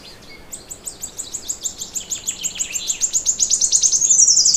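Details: Singing bird at morning: a high, quick trill that speeds up and grows steadily louder, notes blurring into a buzzy stream at the close, in a quiet setting.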